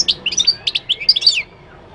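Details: Moroccan goldfinch singing a lively string of high twitters, buzzy slurs and chirps in close succession for about a second and a half, then falling silent.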